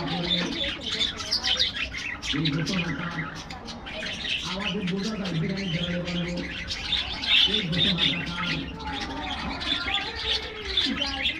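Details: Morning in a bird aviary with budgerigars at their treat: busy high chirping and warbling in waves, mixed with deeper repeated coo-like notes.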